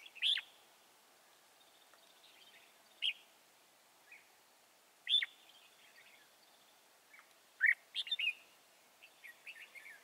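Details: Red-whiskered bulbul, a wild bird in the Chùa Hương area trapped on 24 March 2018, giving short bursts of whistled, warbling phrases with quiet pauses between, followed by softer chattering notes.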